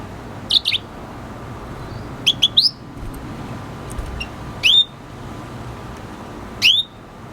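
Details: Red siskin (Venezuelan cardenalito; the title also mentions hybrid) singing: short, high, sharply rising chirps in small bursts about every two seconds, over a steady low background hum.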